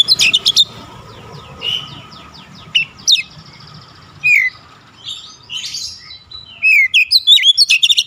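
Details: Oriental magpie-robin shooting song with fill: sharp note bursts at start and end framing scattered whistles and rough buzzy notes, over a steady low background hum.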